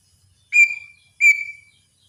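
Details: Greater green leafbird in full song. Two strong whistles, each beginning with a sharp burst and trailing off into a steady tone, spaced under a second apart in a quiet setting.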